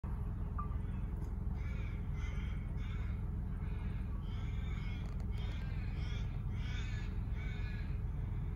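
A white ibis gives harsh, nasal honks in a quick series, about two a second, over a steady low rumble of wind or traffic.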